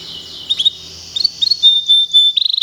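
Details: Local canary, kept for a singing contest, giving a short burst of high whistled notes and slurred chirps over a steady hiss, ending in a quick trill.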